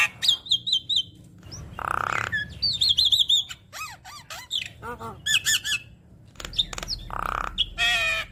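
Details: Javan myna chattering song with plentiful fill-in phrases, played to make other mynas sing: trilled whistle runs, harsh broadband squawks and clusters of arched notes, lively and irregular.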